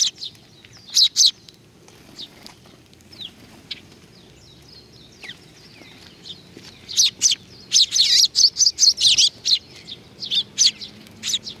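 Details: Sparrows at Tenmangu shrine, Nakanoshima, coming to be fed on 21 June 2020: a few scattered high chirps give way to a dense, excited chattering burst of rapid notes, with some wing flutter.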